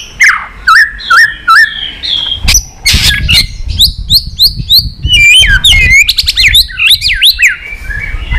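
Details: Shama pouring out a varied song to spur other shamas to sing: repeated hooked whistles, sharp clicks like tail-snaps, then a tumbling string of looping, rising and falling notes.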